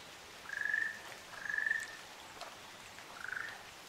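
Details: Pair of Ryukyu ruddy kingfishers on Amami Oshima, Japan: three rolling, finely trilled notes of even pitch, each about half a second long, with the last one slightly lower. A faint patter of drips is heard in the background.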